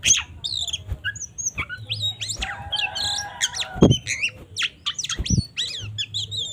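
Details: Oriental magpie-robin singing a 'tarung ngobra' fighting song used to rouse other magpie-robins; sharp varied chirps and whistles around a buzzy mid-pitched passage, with occasional loud thumps and a low hum.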